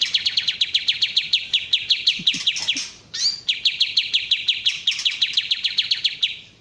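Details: Kapas tembak bulbul, original sound: a continuous rapid series of sharp downslurred chips, interrupted midway by a single rising whistle, before the fast chipping carries on.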